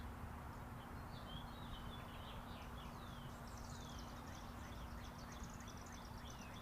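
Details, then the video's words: Tweeting birds heard against the constant roar of traffic on Interstate 40. They give scattered thin, high chirps and short twittering notes, several overlapping, with no steady rhythm. "Chirping Birds"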